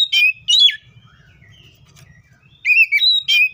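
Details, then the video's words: Wild Oriental magpie-robin gives two sharp, slurred whistles, then a quiet spell with faint distant notes and a low rumble, then a fresh run of bright whistled phrases with up-and-down pitch. "THIS COPSYCHUS SAUCARIS BIRD MOST LUXURIOUS SOUNDS LIKE IN THE WILD!"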